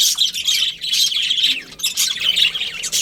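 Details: A flock of budgerigars in breeding season trades quick, squeaky chirps and scratchy twitters in short bursts, roughly one burst per second, all high and thin.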